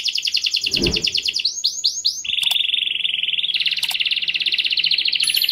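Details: Canary singing to motivate other birds: rapid trilled notes, a few upswept whistles, then a long even rolling trill followed by a brighter, faster one, with a brief low thump early on.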